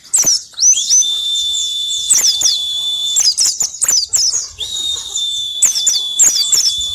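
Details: Ngalas-type Pleci (white-eye) song meant to lure birds into singing: nearly continuous high, chattering twitters riding on a long, level whistled note, with sharp accented chirps scattered throughout.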